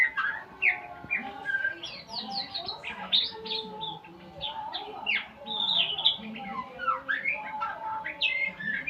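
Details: White-rumped shama practising learned sounds, a fast, busy stream of sharp chirps, downslurred notes and squeaky whistles with barely a pause, steady low humming tones beneath.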